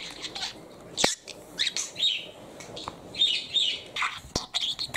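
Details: Male pet parakeet chattering indoors, quick high chirps and scratchy warbled syllables in short bursts with brief pauses, a couple of sharp clicks between phrases.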